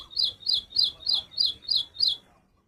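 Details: Little woodstar chirping: seven bright, high buzzy chips spaced evenly about three per second, then silence.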